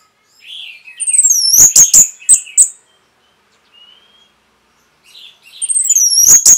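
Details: Orange-headed thrush training recording for caged birds. A soft warble leads into high, descending slurred whistles and a few sharp clicks. After a faint whistle and a pause, the sweeping high phrase repeats.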